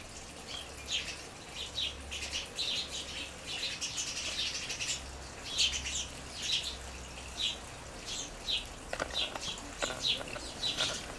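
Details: Flock of house sparrows gathered on the ground in a garden beside a seed feeder; continuous busy chirping and twittering from many birds, with a few sharp clicks near the end.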